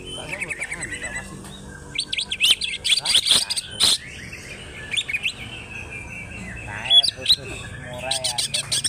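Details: Wild-type greater green leafbird from Alas Purwo, Banyuwangi, singing loudly with tail spread: rapid varied high whistles, buzzy trills and sharp chattering bursts, with brief pauses and a low hum underneath.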